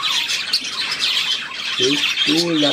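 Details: Budgerigar flock twittering with fast, scratchy high chirps. A human voice speaks two short phrases in the last second.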